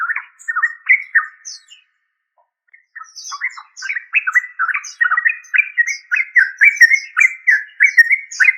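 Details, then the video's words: Trucuk, the yellow-vented bulbul, chattering in quick bubbling notes, pausing about a second, then resuming with a steadier run of rolling, slurred chirps and faint high squeaks. "Yellow Vanted bulbul trucuk"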